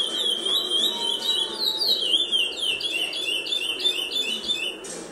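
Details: Captive-bred curió, still brown-plumaged and a little shy: loud, clear whistled song with rising and falling slurred notes strung in a fast continuous phrase, over a low background hum.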